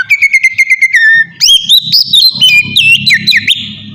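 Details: Oriental magpie-robin song used to bait other birds into answering: around ten fast repeated notes in a rattling series, then a burst of loud, varied whistles rising and falling, with faint low hum underneath.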